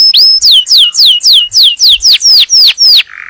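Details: Yellow canary singing to prepare the female for breeding and to teach the young: a fast, loud trill of about eleven falling whistled sweeps, evenly spaced, ending in a brief lower buzzy note.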